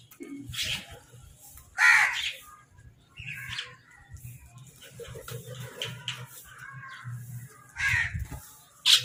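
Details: Crows fighting over food give several harsh, hoarse caws spaced a few seconds apart, with softer chattering between them over a steady low hum.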